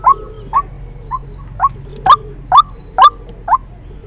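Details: White-breasted waterhen lure call used for trapping birds: a steady run of eight short, loud, upslurred notes, about two per second, each sharply rising then flattening, over a low constant background hum.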